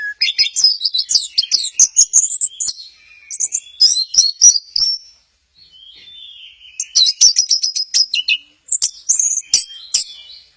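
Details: Orange-headed thrush at Kesamben, dancing 'goyang inul': two long bursts of fast, high, scratchy twittering and chirps separated by a quieter thin whistled passage.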